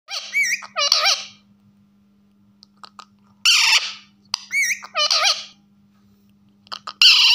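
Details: A pet rose-ringed parakeet (ringneck) talking while perched on its owner's shoulder, chattering speech-like phrases in quick, warbling bursts with pauses between, high and wavering, over a faint steady electrical hum.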